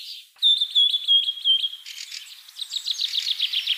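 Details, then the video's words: Common myna delivering a pure, ringing whistle held for over a second, then breaking into a fast series of short, harsh chirps. "শালিক পাখি। Shalik pakhi । Birds sounds"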